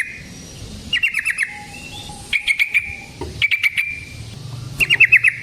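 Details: Sooty-headed bulbul, fighting-style lure recording to make other bulbuls answer: short rattled trills of four or five fast notes, spaced by quiet gaps, with faint low rumble.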